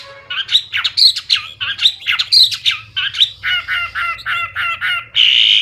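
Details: Loud, clear gacor song of a Hwamei with full isian: choppy harsh chattering notes mixed with short whistles, then a string of quick stacked notes ending in a sustained buzzy whistle, over a low background hum.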